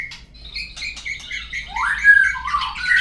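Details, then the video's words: White-rumped shama song played as a lure to make birds sing: short varied whistled phrases, some sliding up and down, building into a louder, richer run of notes. "suara pancingan burung murai agar bunyi"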